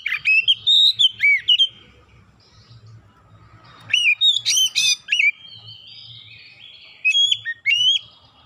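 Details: Oriental magpie-robin lure song, meant to set other birds singing loudly, showing its repertoire: loud, sweet whistled phrases with sharp upslurs and downslurs, given in three bursts separated by quiet pauses, with a faint low hum beneath.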